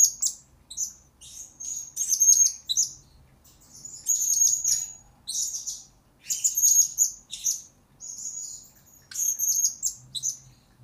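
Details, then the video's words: Blue-crowned hanging parrot, a lure bird's master recording for training birds: very high, thin chirps and short trilled bursts in clusters with brief pauses, repeated about every two to three seconds. "Pelapis Bakal2 Pemikat Mr.Taripas Ini Sudah Dilamar Orang"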